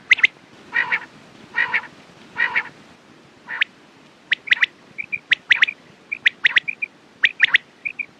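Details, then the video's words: Quail calling: four harsh nasal bursts, then quick groups of two or three sharp clicking notes repeated about every second, with a few soft short whistles between them. "Quails sound best sounds use morning and night time mast awaz saaf awaz"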